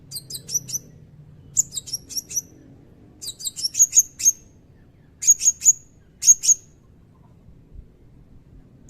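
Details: Serindit (Blue-crowned hanging parrot) in energetic song, sharp high chips grouped in clusters of three or four, the clusters repeated about once a second, with near silence between.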